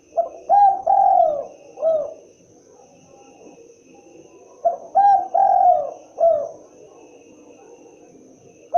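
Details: Spotted dove, derkuku, repeating its original native call: two complete phrases of short coos, a long drawn coo and a dropping end note, about four seconds apart, over quiet hum.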